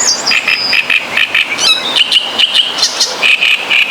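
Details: Great reed warbler song from Poland: rough, loud, rasp-like phrases in a kara kara kir pattern, a voice of the reeds said to carry hundreds of meters over water; grating notes repeated more than twice a second, with faint insect buzzing.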